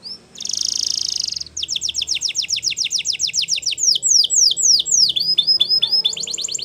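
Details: Russian canary in a training song: a brief rolling trill, a long run of quick rising chips, then slower swooping whistles and a final fast trill.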